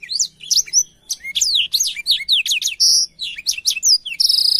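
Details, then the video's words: Blackthroat song for teaching canaries: dense chains of high sweeping whistles and chips with two buzzy rattling trills, continuous and loud. "suara burung blackthroat untuk masteran kenari"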